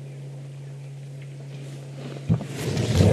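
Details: A steady low engine hum runs throughout, then wind buffeting and rumbling noise build up over the final second, with no animal calls heard.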